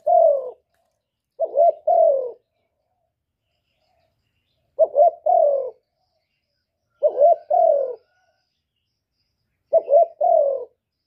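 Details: Spotted dove calling in the 'một hậu ròng' style: a few spaced phrases of two or three quick stuttered notes ending in a falling coo, with pauses of about two seconds between phrases.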